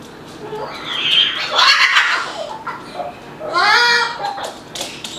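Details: Indoor pet Moluccan cockatoo, a male, running about and making noises: two bursts of wavering, strained harmonic vocalizing, the second with clear stacked bands, separated by quieter bits in a small room.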